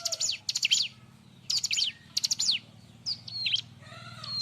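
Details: Bar-winged prinia singing loudly for tutoring other birds: clustered rapid zigzag notes in fast bursts, then hooked whistled phrases, with a low steady hum underneath.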